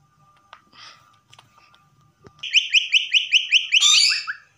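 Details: Common myna kept as a pet whistling a fast series of about ten identical bright, rising notes, then a loud harsh flourish; faint indoor knocks before.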